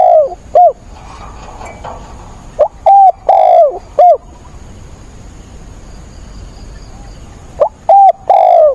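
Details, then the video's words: Spotted dove kept as a decoy, cooing hard in stormy rain on 28 October to rouse wild doves. Three hollow coo phrases separated by pauses of a few seconds, each with short notes and one drawn-out falling coo, over steady rain hiss. "mưa bão cu mồi gáy càng sung, bổi già kích bổi lỡ"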